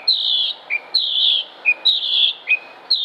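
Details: Song of a Northern Mockingbird (Mimus polyglottos) recorded in Concord, North Carolina, United States, 6 July 2016: a repeated phrase of a long high buzzy note followed by a short lower chirp, given about three times in quick succession.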